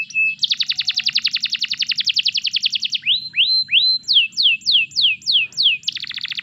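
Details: Canary song used as a master recording to stimulate other canaries to sing: a fast trill of rapid repeated high notes, then slurred rising-falling whistles, a series of descending swept notes, and another quick trill, with faint low hum beneath.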